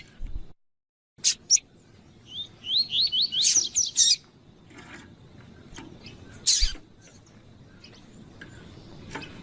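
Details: Female Double-collared Seedeater (coleiro tui-tui) calling to excite a male of the 'fibra' type: a quick run of about six rising, high whistled notes, then scattered sharp clicks and taps over a low hum.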